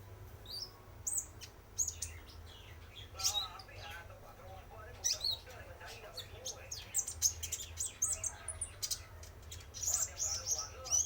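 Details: Male spotted konin sunbird lure song: long, busy stretch of high ticking chirps and short squeals, denser toward the end, with some lower warbling mixed in.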